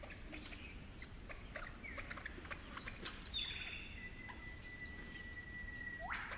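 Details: Superb lyrebird of the 'flute lyrebird' population in the cool, damp forests of the Werrikimbe Wilderness, New England Tablelands, New South Wales, gives pure flute-like whistles: a falling slur, a long steady note, then a quick rising sweep, over scattered chirps and clicks from other birds.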